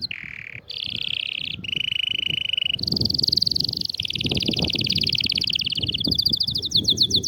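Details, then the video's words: Canary song used to excite a silent canary into singing: a continuous string of rolling trills stepping between pitches, from a low buzzy roll to high bright pulses, ending in fast sweeping notes, with background rumble. "إياك تقول عصفوري الكناري ساكت أدخل عليه البهجة بالمقطع الأكثر تحفيز نار نار Canary"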